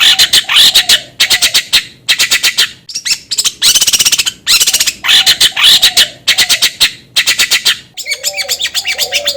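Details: Long-tailed shrike song used to provoke another bird into singing: loud harsh rasping bursts repeated nearly twice a second in runs, ending with softer low warbled notes and chirps.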